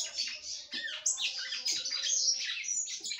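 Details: Female red-cowled cardinal in full song to excite her mate, a continuous stream of high twittering, whistled and scratchy notes with quick pitch jumps and barely any gaps.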